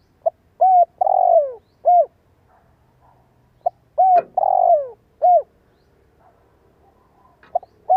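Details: Decoy spotted dove with a fine voice, calling to set young doves cooing. Two full phrases of short notes around a long, sliding, downward coo are heard, with a single sharp click between them.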